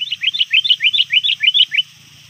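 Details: Sooty-headed bulbul, a lure bird calling rivals near dusk: a fast run of about ten rising chirps in under two seconds, evenly spaced and loud.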